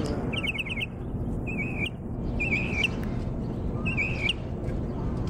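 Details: Mockingbird recorded in Jackson, Mississippi, opening with a rapid run of five identical chips, then three separate warbled, rolling phrases spaced about a second apart over constant low rumbling noise.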